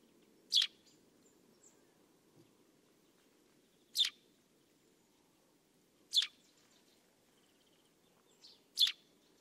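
A Eurasian Tree Sparrow gives four single, sharp, bright chirps spaced two to three seconds apart, over a faint low background hum.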